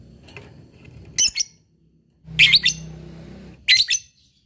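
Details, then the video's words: Lovebird giving short, harsh, chirpy squawks in three brief bursts over about four seconds, with a low hum beneath. "LOVEBIRD NGEKEK PANJANG GACOR SANGAT MUDAH BKIN LWN BUNYI"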